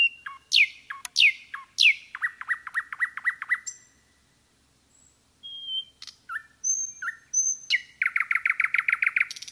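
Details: Common nightingale singing in a forest: loud sweeping notes lead into a rapid chattering series, quiet whistles after a gap, then a fast repeated rattling phrase.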